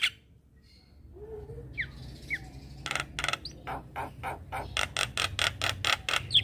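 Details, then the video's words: Morning training lure of Javan myna song for a myna gone quiet: faint opening whistles and slurred notes, then a steady series of loud harsh rasping bursts roughly twice per second. "Burung Jalak Macet Bunyi Wajib Rutin Kasi pancingan Suara Jalak Kebo Tiap Pagi"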